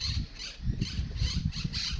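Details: Wild rainbow-coloured parrots in park trees, apparently paired up, with two on one branch doing all the calling: harsh, scratchy squawks repeated roughly every half second over a low rumble of wind.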